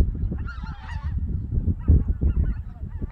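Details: White-fronted geese flying at dawn in winter from their Togo Reservoir roost to the Cheorwon Plain in Korea; a short burst of overlapping, wavering calls early on, then scattered quieter notes over a heavy low rumble.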